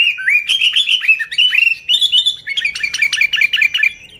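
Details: Vigorous sooty-headed bulbul song, used as a lure for bulbuls: a fast, bubbly run of liquid whistled notes, rising and falling without pause, with a quieter rapid trill of notes near the end.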